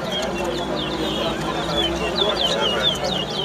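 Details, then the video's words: Chestnut-bellied seed finch (towa towa) singing at a bird singing competition in Lusignan, Guyana: quick, repeated high down-slurred whistled notes over a steady murmur of people talking. "TOWA TOWA BIRD SINGING"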